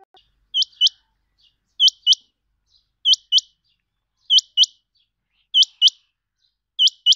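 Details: Rain quail (chinga batair) kept by its owner, calling in clean, high, ringing two-note bursts, each pair sharp and upslurred, repeated at a steady rhythm roughly every 1.2 seconds against a quiet background.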